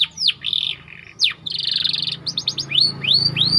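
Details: Canary song used as bait to train other canaries: quick downward whistles, buzzy trilled phrases and rising slurs, over a faint low hum.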